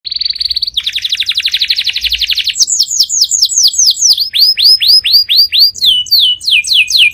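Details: Powerful canary song: a steady high buzzy trill gives way to a long rattling roll, then a run of loud sharply descending whistled notes repeating several times a second, clean and without background sounds.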